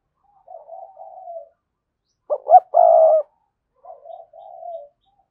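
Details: Decoy spotted dove known for a strong, spirited voice. One full phrase, two short swelling notes then a long even croon, sits between quieter low wavering coos before and after.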